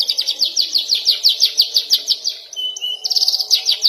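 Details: Young canary in training, working on long rolls and sharp bursts: nearly continuous rapid high trilled notes, broken once by a short pure whistle before the trill resumes.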